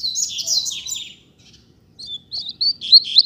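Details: A Double-collared seedeater of a pair on the street sings a dense warble of high buzzy notes, then a pause and a run of sharper chirps, with low rumbling background.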